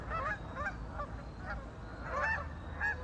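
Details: Ducks calling on a lake: clusters of short, harsh honking notes from several birds, coming in small bursts over a constant low hum.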